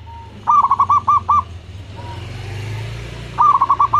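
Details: Two rapid rolling coo phrases of about six notes each come from a local zebra dove kept as a lure to set other doves calling. A single soft coo sounds between them, over a steady hiss and low rumble.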